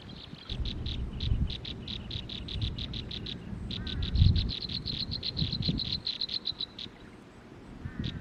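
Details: Baby birds crying in their nest: a long run of thin, high pulsed notes, rapid and steady, fading briefly near the end, over low thumps and rustling handling noise.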